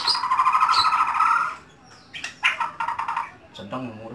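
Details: White-rumped shama kept at home, opening with a fast buzzy trill held on one pitch, then a break followed by separate sharp bursts and a short trilled phrase.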